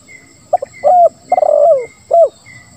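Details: Spotted dove singing the 'lambung kuk 1, suara ngeruk' pattern used to lure silent doves into calling: two soft pips, a level coo, a rattling descending coo and a falling coo, with thin high whistles repeating in the background.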